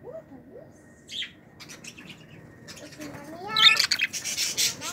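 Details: Young budgerigars from a 2018 brood of pearl single- and double-factor birds, kept indoors, making soft rising squeaks that build into a dense burst of high, scratchy chattering calls near the end.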